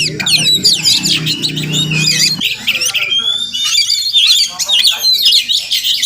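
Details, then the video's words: Wild Oriental magpie-robin (Murai Kampung) visiting a home each morning, perhaps nesting nearby: dense, fast run of high whistled slurs and scratchy squawks, with a low steady hum under the first two seconds. "Crazy Sounds of Village Magpie Birds"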